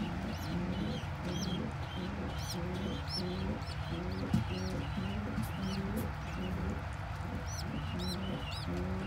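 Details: Domestic pigeon squab being fed crop milk by its parent: thin, high, arched squeaky peeps repeated roughly every half second over a steady, patterned low droning background.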